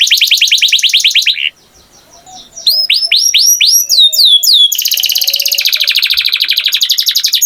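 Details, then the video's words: Canary singing a rapid rhythmic trill, a short pause, a series of curved whistled sweeps, then a long steady rattling trill. "Canary Singing Beautifully"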